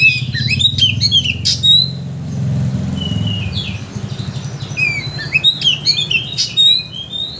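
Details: Oriental magpie-robin provoking song, played to rouse a bird's emotions so it sings its full repertoire: quick high chirps and whistled slurs in bursts, with a loud low engine-like rumble underneath.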